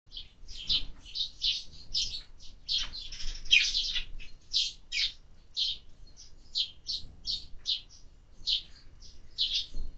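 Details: Sparrows being fed in summer give a dense run of short, bright chirps, several birds overlapping, with notes coming every fraction of a second for the full ten seconds.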